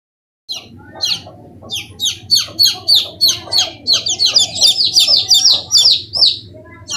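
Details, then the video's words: Domestic chicken chicks giving high, thin peeps, first scattered, then in a rapid continuous stream of overlapping cheeps, over a low background rumble. "The sound of the chicks is very sweet"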